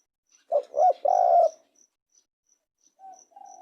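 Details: One cooing phrase from a spotted dove: two quick coos followed by a longer, level, slightly buzzy note, then quiet softer tones and a faint regular high ticking.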